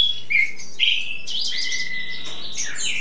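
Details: Tutor songbird (cabresto) singing for hours in spring during its song-showing stage: quick run of bright whistles, a buzzy chattering stretch and a level sustained note, over a soft low hum.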